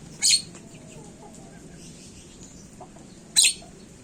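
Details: Javan myna, locally jalak kebo, heard on a lure track for prompting song: two short, buzzy, grating screeches about three seconds apart, with faint soft chirps and a low hum between them.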